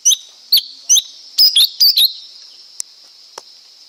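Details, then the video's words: Lesser Green Leafbird giving a fast run of sharp, high chirps and short warbled notes, about seven bursts in two seconds, followed by two faint ticks. "เสียงนกเขียวก้านตองเล็ก Lesser Green Leafbird Sound"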